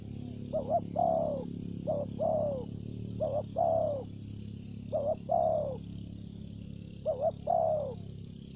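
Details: Decoy spotted dove in thổ dế style, with dập and mai rừng. Repeated coo phrases, each a short stuttered double note and then a longer down-slurred coo, roughly every one and a half seconds. A pulsing high insect trill continues.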